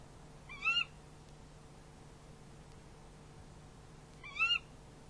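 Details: Barn owl calling at the nest as prey is handed over, night nest-camera recording: two short, harsh, wavering screechy calls about three and a half seconds apart, with steady low hum between.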